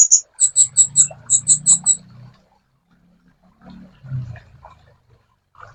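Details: Sunbird singing in a master recording for training songbirds: a quick run of about nine very high, clear, ticking notes, followed by faint low rumbles and quiet stretches.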